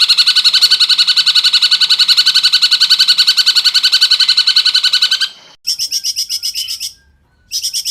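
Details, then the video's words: Cungkok tutor song for training magpie-robins and other cage birds: a long, tight, very fast trill of clear high notes for five seconds, broken by short pauses and then resumed twice. "cungkok gacor suara jernih speed rapat"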